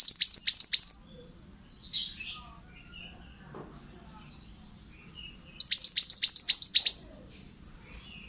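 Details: Vigorous song of a male pied bushchat, meant as a master recording for other birds: a rapid volley of sharp, shrill downward notes, a pause of scattered soft chips, then a second longer burst of about ten notes.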